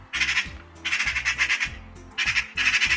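Eurasian magpie giving harsh, rasping chatter in four quick bursts, each roughly half a second long, over a faint low hum.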